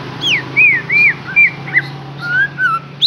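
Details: Song used to lure a captive white-rumped shama into singing: clear, arched whistles about every third of a second, some rising and some falling, over a faint low hum.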